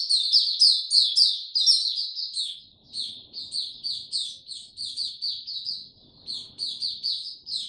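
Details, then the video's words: White-eye singing during warm, very humid weather: loud, dense high twitters and sharp chirps at first, then a slightly softer stream of quick repeated warbled notes. "Mata Puteh Hercules buka sing warm n very humid weather"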